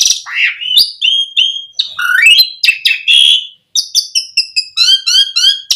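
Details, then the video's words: Lure song of an Asian pied starling: swooping whistled glides and harsh notes, then a short silence and a fast rhythmic sequence of repeated chirping notes that speeds into a rattling trill. "Suara Jalak Suren Memancing Burung Jalak Biar Cepat Full Isian Mewah"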